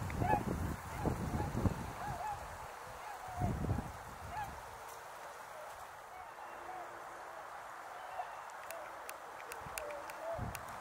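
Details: Tundra swans at Azumino on a cold, cloudy -4°C winter day with snow lingering and a large flock present; a person talks over the opening seconds, then soft nasal honking calls rise and fall repeatedly from many birds.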